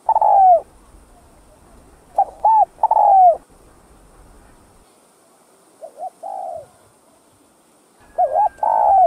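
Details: A spotted dove gives soft, hollow, mid-pitched coos in short two- and three-note phrases, repeated every few seconds against a quiet background; the cooing is meant to stimulate other captive doves into calling.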